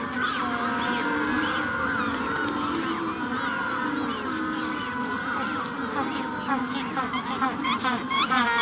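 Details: Adult Magellanic penguins at Punta Tombo, during the hatching stage, call close by with loud, harsh braying notes and honking, donkey-like harmonics, over a dense chorus from the wider colony in the distance.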